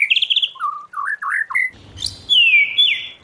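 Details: Wild-voice white-rumped shama song: a quick high trill, lower warbled whistles rising and falling, then a long clear whistle sweeping downward.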